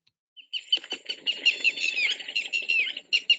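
Red-wattled Lapwing giving a burst of loud, strident, high notes in quick succession, remembered as 'did-you-do-it'; a low rustling sits beneath.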